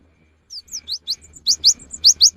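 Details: Cinereous tit song for luring birds in the rainy season: a quick series of high, thin, rising-then-falling notes that grow louder, ending in strong ringing pairs repeated about every half second.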